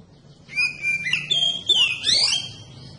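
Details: Oriental magpie-robin song used to provoke other magpie-robins into singing: a held high whistle, then varied rich phrases with rising and falling slurred notes.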